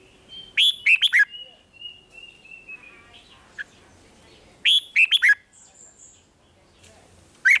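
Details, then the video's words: Red-whiskered bulbul singing, a recording meant to make caged birds lively in Thailand: two bursts of rapid, bright, slurred notes separated by a long thin steady whistle and quieter background chatter. "เสียงนกกรงหัวจุก ร้อง ริก เปิดให้นกฟัง ยั่วให้นกคึกจัด"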